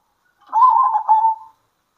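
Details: One zebra dove phrase, from local birds calling to each other at midday: a single burry, rolling coo of about one second that starts strong and fades gently.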